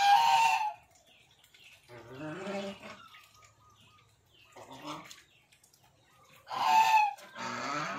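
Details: A breeding pair of pied Chinese geese (swan goose) give loud, brassy honks at the start and again near the end, with lower, rough calls from other birds filling the quieter middle.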